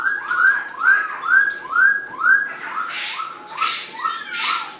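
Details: White-cheeked laughingthrush song, with a competitor at animal feed: loud, rising whistled notes, repeated about twice a second.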